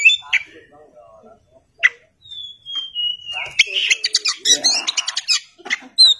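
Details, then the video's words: Oriental magpie-robin, or kacer, gives a long, thin whistle that slowly falls in pitch, then a burst of scratchy, rapid chattering notes and a few bright, clear whistles at the end. "kacer (oriental magpie robin)"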